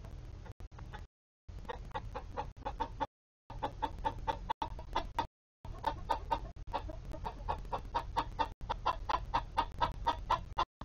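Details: Chickens of mixed Polish, Golden Comet and Easter Egger breeds inside their coop, giving steady low clucks in quick repeated bursts, several per second, nearly continuous with brief gaps of silence and a low background hum.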